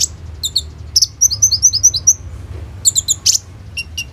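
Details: An olive-backed sunbird sings as a lure for other birds of its kind, song packed with rolling shot-like notes: a quick run of evenly spaced high chirps, then clustered sharp ticks and a few lower notes.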